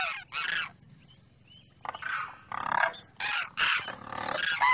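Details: Demoiselle cranes, a pair, with the male calling to the female from the other side: harsh, rasping honk-like bursts in two early groups, a quiet gap, then a dense run of rough trumpeting calls.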